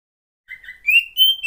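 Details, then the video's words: Female Oriental magpie-robin, a sound used to provoke reluctant males into singing. Silence first, then a short soft whistle. Two louder, clear, slightly rising whistled notes follow, high and pure. "SUARA KACER,POCI BETINA,terapi untuk memancing burung jantan yang males bunyi"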